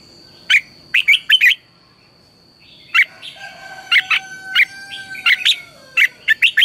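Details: Red-whiskered bulbul in morning training song, a lure sound for other bulbuls: crisp whistled notes in a quick burst, a pause, then many sharp notes spread over several seconds, with a faint lower drawn-out tone and a steady high whine.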